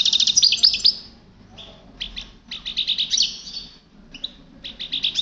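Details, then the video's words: European goldfinch singing: bursts of rapid, tinkling, twittering notes in quick trills, broken by short pauses, with scattered thin chirps in between. "طائر حسون"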